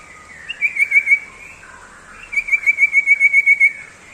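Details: Ngebrem song of a common iora, two bursts of quick repeated whistled notes, a short run of five followed after a pause by a longer steady series of about twelve, each note sharp and evenly spaced.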